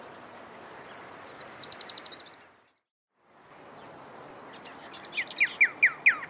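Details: Pyrrhuloxia: a thin, high, rapid trill fades out, a short silence follows, then loud, sharply falling whistled notes repeat quickly at the end.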